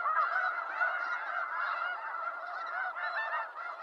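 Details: Snow geese in the wild, eastern North America, a massed flock giving overlapping yelping honks, continuous and fairly even in loudness, with a slight drop just before the close.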